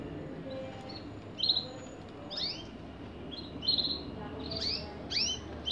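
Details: Canary singing: scattered high chirps and short downward-sweeping whistled notes in small bursts, with steady low background hum.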